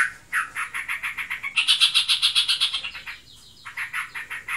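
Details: Pet sooty-headed bulbul described as in breeding condition, chattering rapidly: quick, thin, higher-pitched notes in a fast string, a brief pause, then more rapid notes, followed by a woman speaking.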